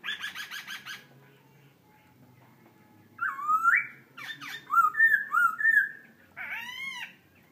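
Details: Laughingthrush singing a rapid run of clipped repeated notes, then after a pause a sequence of rich whistled slurs, rising and falling, with harsh scratchy notes between them.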